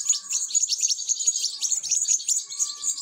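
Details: Begging European goldfinch chicks at feeding time, several high, scratchy chirps tumbling over one another in quick succession, with a faint steady tone underneath.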